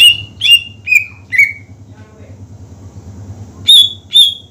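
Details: Greater green leafbird song used to rouse rival birds to sing; four loud downward-sliding whistles, a quiet gap with faint murmuring, then two high ringing notes, over a low humming background.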